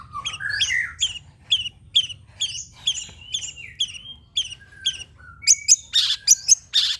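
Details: Long-tailed shrike song used as a lure to make other shrikes answer: varied whistled and slurred notes, some rising and falling, ending in a run of harsh scratchy bursts, with a low hum underneath.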